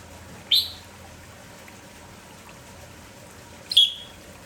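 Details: Kampong Red-whiskered bulbul, spirited in the morning and calling without pause: a bright downward-sliding chirp, then after about three seconds a longer, slightly buzzy chirp, over soft steady noise.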